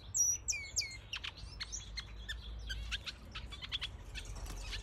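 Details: A black siskin (Spinus atratus) from a breeding pair in an aviary gives a rapid, high twittering song, starting with sharp rising and falling whistles, then dense buzzy chips and trills.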